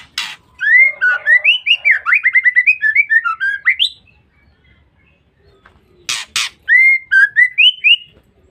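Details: Female white-rumped shama ngeriwik, used to lure or provoke males. A long rapid chatter of rising and falling whistled notes lasts about three seconds. After two harsh clicks comes a shorter whistled run.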